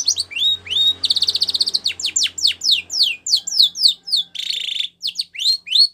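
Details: Training song of a white Spanish Timbrado canary for young birds: rising whistles, a buzzy rolling trill, a series of quick downward chips, then another bright rattle and upswept notes, over a low background hum.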